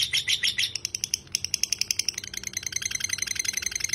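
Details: Lovebird delivering ngekek, the long chattering song style, in a tutor recording. Loud harsh chirps open, then sparser clipped notes, then a quicker, softer run of high twittering.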